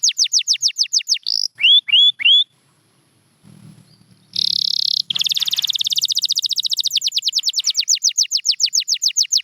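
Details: Canary song from a champion bird: quick falling trill notes and a few hooked whistles, then a short pause with low background sound. A buzzy burst leads into a long, rapid, evenly pulsed trill.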